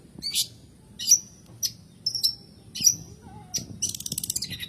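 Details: Long-tailed shrike song for enticing lazy birds to sing: squeaky, harsh high notes spaced about half a second apart, ending in a fast buzzy trill.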